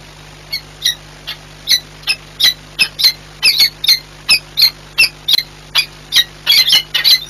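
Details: Wild peregrine falcons at a courtship meeting on the Orlen industrial site in Płock, Poland, 8 March 2022: rapid, high, sharp chipping notes, about two to three per second, growing busier toward the end over a steady low hum.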